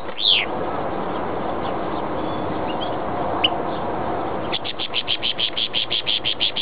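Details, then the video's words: Goldfinch × greenfinch hybrid (mixto jilguero × verderón) singing: after a few scattered chirps, a fast run of repeated bright twittering notes starts, about eight per second, heard over steady heavy hiss. "Mixto jilguero pega verderon"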